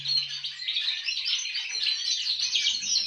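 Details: Canary raised alongside an excellent singing male goldfinch, copying its song: a continuous, high, rapid twitter of liquid trills and tinkling notes, with other aviary birds singing alongside.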